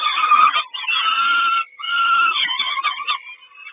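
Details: Peregrine falcon at the Kawęczyn nest on 3 June 2022 during the mother's breakfast delivery: two long harsh, buzzy wails, then a fading trail of rasping notes with a thin whine.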